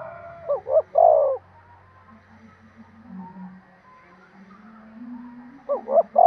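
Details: Spotted dove cooing to stimulate breeding: a loud phrase of two quick notes and a drawn-out coo, then a long quiet gap before the next phrase starts at the end.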